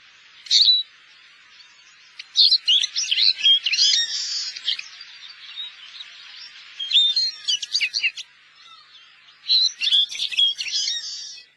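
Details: A finch in Korea, labelled as the black-headed greenfinch (a wintering bird there), twitters in three bursts of bright, buzzy chattering notes with short trilled phrases, separated by brief pauses.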